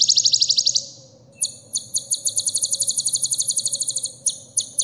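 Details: Sunbird isian song for teaching caged birds: a quick high trill fading out, a short gap, then a rapid chattering sequence of bright repeated notes with a few spaced chips at the end.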